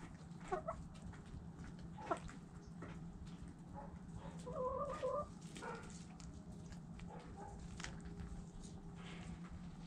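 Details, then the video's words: Chickens going about their business, with hens giving short harmonic clucks and a longer wavering call midway, over steady low rumbling background noise and scattered clicks. "Chickens Doing Chicken Stuff Sounds Noises Hens Clucking Roosters Crowing!"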